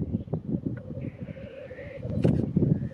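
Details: Lekking black grouse at World's End in North Wales, mid-February 2018: continuous low bubbling, murmuring chorus from displaying birds, a rising breathy hiss across the middle, and louder bubbling bursts toward the close.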